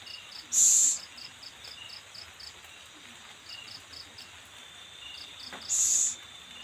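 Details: Owl feeding its young: two brief, loud breathy hisses about five seconds apart, separated by a steady train of short, regular insect chirps.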